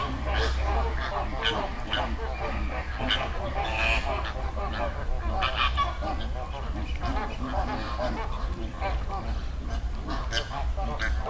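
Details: Flock of wild flamingos in a river in the Dominican Republic, a dense, ongoing chatter of honking calls throughout, over a constant low rumble.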